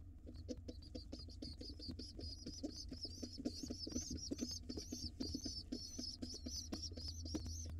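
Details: Wild pigeon nestlings in a monitored nest box being fed late before dark: fast runs of thin, high squeaky peeps that grow denser and wavering toward the end, over a steady low hum and soft tapping knocks.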